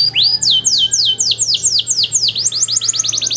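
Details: Tutor song of a canary, long and richly varied: a series of loud descending swept whistles at about four per second, speeding up into a tighter run of shorter notes, with a steady low hum underneath.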